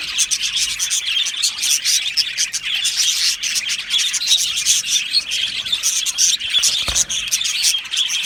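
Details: Budgerigars chirping happily in an aviary: a thick chorus of sharp high tweets and chatter, steady for the whole stretch, with one brief low thump near the end.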